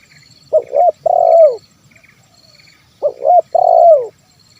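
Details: Lure recording of a spotted dove in 'kuk 1' style for calling wild birds: two matching phrases, each a quick wavering double coo followed by a drawn-out descending coo, about two and a half seconds apart.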